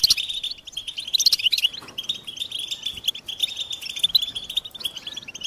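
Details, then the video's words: Continuous high twittering from a European goldfinch: a fast stream of liquid, chattering notes, loudest and most varied in the opening second. "Goldfinch motivating songs"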